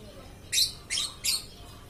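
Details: Lovebird in nonstop song delivering three evenly spaced, shrill, buzzy chirps roughly a third of a second apart, high and grating, over low background hiss.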